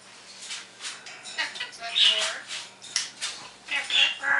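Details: Pet parrot on a lively morning, imitating sounds such as an iPhone, Pacman and Star Trek, trying to sing like a canary and saying words like "cool" and calling the dogs: a run of short, raspy, speech-like bursts with a few thin whistled notes.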